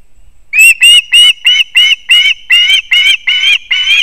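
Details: Osprey chicks on the nest in Kurzeme, Latvia, on 20 September 2024, with their father arriving with fish; after a short quiet start, an even series of loud, slightly rising whistled yelps comes about three per second.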